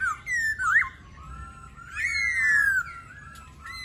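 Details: Laughingthrush song made of long, pure whistles. One phrase climbs sharply, then a drawn-out note slides slowly downward, with quieter whistled notes after it.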